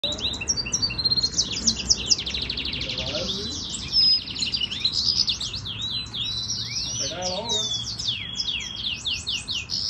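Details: A captive male canary × yellow-fronted canary (greensinger mule) hybrid, in a singing battle and training session, sings rapid, high, twittering trills and bright whistled notes.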